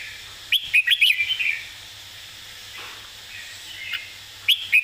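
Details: Red-whiskered bulbul performing a 'master song' with clear phrasing: an opening string of loud, bubbling whistled notes tailing off into warbles, a quiet gap, then a fresh loud phrase starting at the end.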